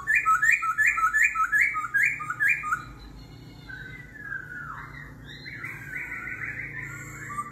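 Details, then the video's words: Laughingthrush's forest-voice competition song, kéo thuốc lào style: a fast train of repeated bouncing whistles for three seconds, then shifting into quieter rising and falling phrases as the voice keeps changing. "Khướu hót giọng rừng - hót đấu - đảo giọng liên tục - kéo thuốc lào"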